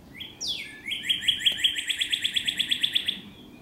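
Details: A female Northern Cardinal calls her mate in a cloistered courtyard in Little Rock: a clear whistle and a sharp downslurred note, then a fast run of about fourteen bright, even chips over two seconds.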